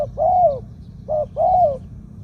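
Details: Ground decoy spotted dove with a medium voice, two-kuk 'khoo-aang' style. Mellow drawn-out coos falling at the end, with a short wavering note before the second, against low steady background noise.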